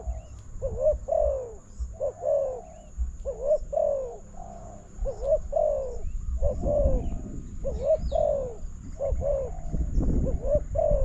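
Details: Spotted dove calling to a decoy during a bird-trapping contest: repeated low, mellow cooing phrases, each a short note and then a longer falling coo. A low rumbling background grows louder toward the end.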